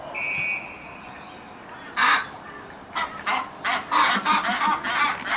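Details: Australian white ibis, known locally as the bin chicken. A thin whistle opens, then one hoarse, harsh squawk is followed by a rapid run of rasping, honking grunts, roughly three per second, over steady background noise.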